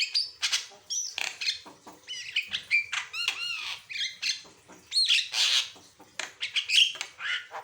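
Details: Javan myna in active, constant song, used as a training recording to prompt other birds to sing: a dense, varied run of whistled slurs, rising and falling notes and harsh chattering squawks, packed closely with brief gaps.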